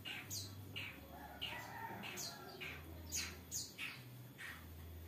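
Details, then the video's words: Long-tailed shrike in full, busy song rich in mimicked phrases: harsh, scratchy bursts reaching high pitches, repeated roughly every half second in quick succession, over a steady low electrical hum. "cendet gacor isian mewah"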